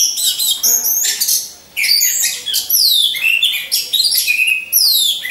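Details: Caged orange-headed thrushes hung in a row during 'ngecas' training sing a fast, varied high song: twittering bursts mixed with sharp descending slurred whistles, with one brief pause just before two seconds.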